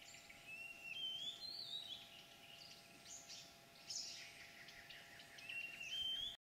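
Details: Chestnut-headed bee-eater (Merops leschenaulti) on a Mekong River island in a Ramsar site above Stung Treng, Cambodia, 20 March 2013, afternoon. It gives thin, high, rolling chirps and short trills in scattered bursts over a faint steady hum.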